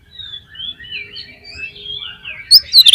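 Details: Oriental magpie-robin singing an enticing song meant to stir other magpie-robins into full song: a soft run of varied whistled notes that slide up and down, ending in a few sudden loud sharp bursts.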